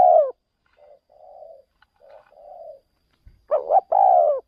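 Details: Spotted dove used as a decoy for luring wild doves away from home: loud low coos at start and end, with soft distant answering coos between them.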